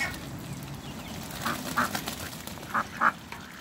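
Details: Muscovy ducks on a farm: a few short, nasal, quack-like calls, given in two close pairs mid-way and near the end, over a steady low background hum.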